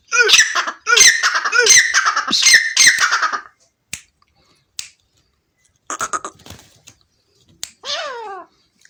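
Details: Harsh, raspy francolin calls, a rapid series of five grating bursts over about three seconds, then quiet gaps broken by clicks, a short buzzy burst and a final descending squawk.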